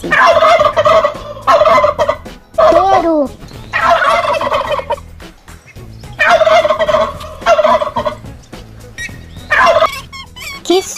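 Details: Turkey gobbling loudly in rapid, rattling bursts of about a second each, repeated several times with short pauses, plus a brief descending yelp between bursts.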